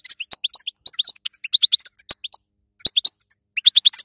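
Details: Female goldfinch chatter for training a weak male European goldfinch after moult: rapid, high, bubbling chirps in dense runs, broken by a near-silent gap in the middle, with occasional clicks.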